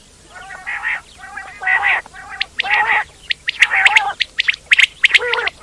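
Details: Quail calling in a busy group: harsh, buzzy nasal notes with stacked overtones, each about half a second, mixed with sharp high chirps that cluster toward the end, at roughly one burst per second.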